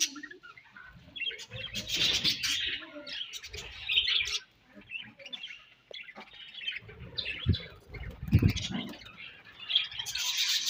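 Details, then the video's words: Pet budgies chirping as they feed, bursts of high warbled chatter and buzzy notes broken by loud low rustling and knocking noises, with a quieter pause midway. "𝑪𝒖𝒕𝒆 𝑩𝒖𝒅𝒈𝒊𝒆𝒔' 𝑪𝒉𝒊𝒓𝒑𝒊𝒏𝒈 𝑺𝒐𝒖𝒏𝒅𝒔 𝑾𝒉𝒊𝒍𝒆 𝑬𝒂𝒕𝒊𝒏𝒈"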